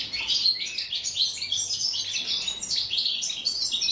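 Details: Goldfinch in original wild-style song, called khalwi song in North Africa: fast liquid twitters and slurred chirps tumbling together without pause, high and bright throughout.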